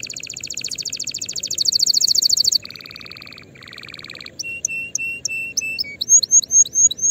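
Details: Canary singing to train young birds before the coming season: a long high buzzing trill, two lower rolled rattles, then spaced clear whistles alternating high and low, ending in rising slurs.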